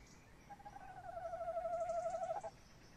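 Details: A male tawny owl calls from nest box BC1 at 21:45 on 30 May 2015, with the female nearby outside. It gives a long, steady hoot of about two seconds that falls gently and wavers at the end, over faint hiss.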